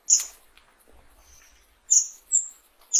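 Fire-tailed myzornis giving very high, thin, sibilant notes, brief and unevenly spaced over a few seconds, with near silence between them.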